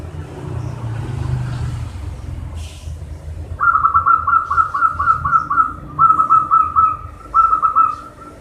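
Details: Local zebra dove song, played to stimulate doves that sing little: after a low rumble, a loud run of rapid, rolling coos in three bursts, each a quick string of short notes, with faint background hum.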